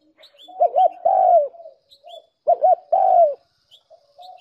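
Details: Spotted dove decoy recording meant to attract doves: two phrases of a doubled short coo leading into a longer descending coo, with soft background cooing and a few thin high chirps.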